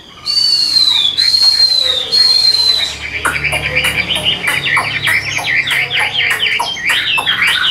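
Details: Captive Hwamei gives three long, clear, high whistles that slide gently downward, followed by a quick, choppy series of short sharp notes and twitters.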